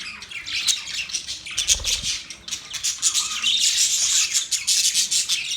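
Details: Budgies, the Australian parrot, chatter rapidly in rough high chirps and squeaks, growing denser and louder toward the end, with a soft low bump near the middle.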